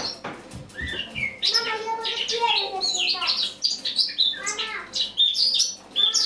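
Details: Eurasian blackcap singing in autumn, recorded in the morning on 1 October 2017: a varied, hurried warble of high chirps and short whistled notes with scratchy elements, flowing almost without pause.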